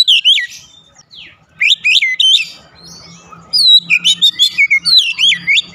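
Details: Fast song of an Oriental magpie-robin (kacer), used to prompt other birds to sing: looping whistled notes and quick chirps in dense bursts, a softer pause midway, then rapid repeated phrases resume, with a faint low hum beneath.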